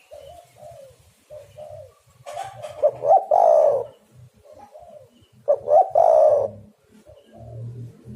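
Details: Spotted dove calls used as a lure to trap birds: soft low coos repeated in short phrases, broken by louder, rougher cooing bursts around three and six seconds.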